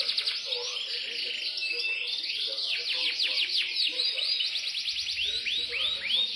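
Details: Imported Yorkshire canary singing continuous rolling trills and arched whistled notes, with a steady hum of other sound behind it.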